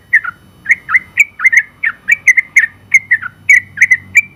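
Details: Sooty-headed bulbul, first-place open-class champion, in energetic 'gacor' singing: quick irregular bubbling whistles, paired and single, bright and ringing, with slight dips in pitch.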